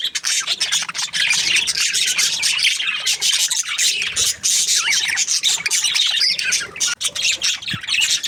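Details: Budgerigars chirping: continuous busy chatter of overlapping high warbles, squeaks and short squawks with almost no pauses.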